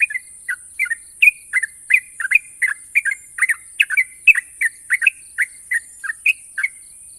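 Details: Sooty-headed bulbul, a national contest champion, delivers a long ropel run: a steady stream of short bright chirps, some rising and some falling, about three per second, with constant background hiss.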